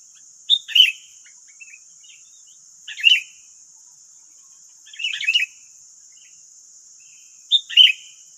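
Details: Sooty-headed bulbuls, wild, calling to a decoy bird in West Lampung, Indonesia: four brief chirpy phrases about two seconds apart, each opening with a clear note and dropping into a bubbly cluster, over a steady shrill hiss.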